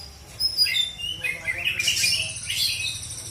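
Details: Oriental magpie-robin from South Aceh, Indonesia: a few high whistles followed by a burst of rapid scratchy twittering, over faint low rumble.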